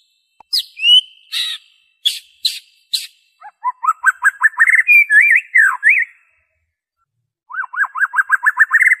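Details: Unembellished white-rumped shama song, meant to prompt captive birds to sing: sharp harsh notes first, then fast repeated whistled notes rising into swooping phrases, a pause, and a quick ascending series of repeated chips.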